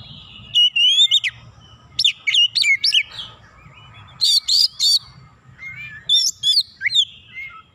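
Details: Agitated Oriental magpie-robin singing against a rival after one provocation, pouring out its repertoire. Clear bursts of sharp, ringing notes and slurred whistles come in clusters about a second apart, with a faint low hum underneath.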